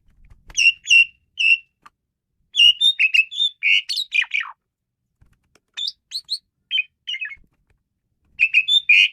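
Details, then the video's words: Asian pied starling singing wildly: bursts of loud whistled notes and harsh, buzzy chatter at mid-high pitch, in clusters with short silent gaps, quiet background. "jalak suren menggila"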